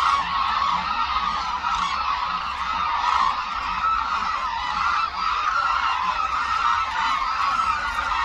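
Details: Massed hooded cranes over Suncheon Bay Wetland, a major habitat for the species, wheeling in an air-show-like display; countless bugling calls overlap into a constant rolling din with no pauses.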